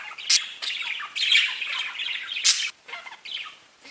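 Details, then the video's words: Parakeets squawking and chirping together in choppy bursts of scratchy chatter, with sharp peaks around a third of a second and two and a half seconds, fading toward the end. "Parakeets Bird Chirping and talking to each other"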